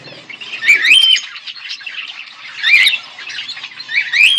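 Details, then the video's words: Pet budgie pair chirping: scratchy high chatter punctuated by three loud rising-and-falling squawk phrases, each about half a second, spaced through the clip. "Budgies chirping sounds"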